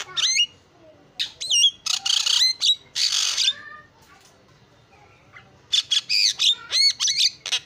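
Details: Javan myna song with mimicked fill-in notes: bouncy whistles, loud harsh rasping bursts, a quiet pause, then a quick string of sharp chirps and slurred whistles.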